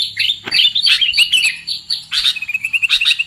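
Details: A bird-trapping lure of sooty-headed bulbul: choppy chirped phrases, then a steady run of quick repeated notes near the end.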